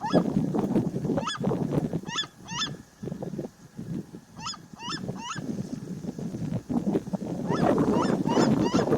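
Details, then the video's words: Seriema song, captured from its opening: loud yelping notes with an up-and-down inflection, given in short bursts of two to four with brief pauses between them. A low rumbling noise runs underneath. "O canto da seriema desde o inicio."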